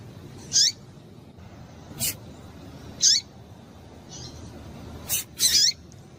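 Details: Female Double-collared seedeater (coleiro tui-tui) calling to excite a male: short high chirps that sweep down into a brief lower tail, spaced every one to two seconds, mixed with sharp broadband clicks.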